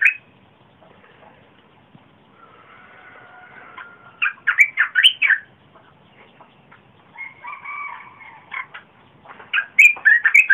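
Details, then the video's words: Red-whiskered bulbul singing, 30 April 2021, a song used to lure wild birds and for young birds to imitate; repeated rich warbling phrases of four to six notes, with quieter churring and whistled calls in between. "นกกรงตาแดง | นกปรอดสีไพลใหญ่"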